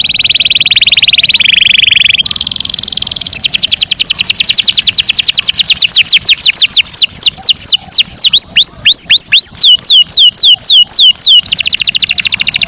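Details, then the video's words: Master-style canary song, said to call friends and fight: buzzy trill, then a long run of fast rapid sweeping notes that become looping, upward-curving whistles, ending in a dense trill. "O SOM DOS CANÁRIOS MESTRE CHAMANDO AMIGOS E BRIGAS"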